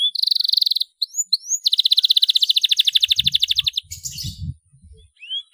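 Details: Vigorous canary singing as a lure for young canaries: fast rattling trill, a few upward-slurred whistles, then a long rapid pulsed trill, with brief low thumps near the end.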